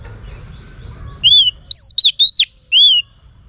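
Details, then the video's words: Female Oriental magpie-robin singing to stimulate males: after a second of faint background, a loud phrase of five clear whistles, starting with an arched note, then short rising and falling notes, ending on another arched whistle. "Choè than mái kích trống hay nhất"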